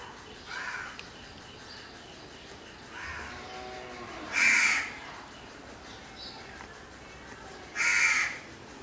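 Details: Black, aggressive crow calling: loud rasping caws about three and a half seconds apart, softer caws before them, and a faint background hum.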